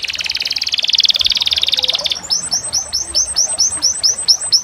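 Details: Canary delivering a fast, pulsing trill for two seconds, then a run of sharply repeated down-swept chip notes, roughly four every second.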